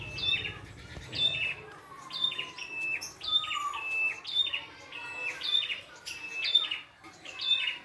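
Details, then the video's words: Wild red-headed prinia in full, varied song: regular bursts of bright chirps and a high whistle, nearly one per second, with a lower sliding note threaded between phrases. "PRENJAK KEPALA MERAH GOCOR FULL ISIAN"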